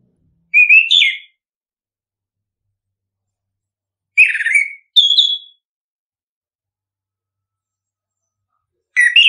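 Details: Orange-headed thrush song used as a lure to stimulate caged birds to sing: three short whistled phrases around a second or less each, sweeping and warbling, separated by long silences.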